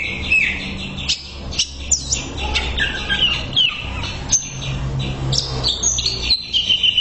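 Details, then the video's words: Greater green leafbird tutor song for therapy: lively chattering sequence of clear whistles, downward slurs and sharp clicks, with brief pauses between bursts and a soft low rumble in the background. "MASTERAN CUCAK IJO SANGAT MAHIR UNTUK TERAPI"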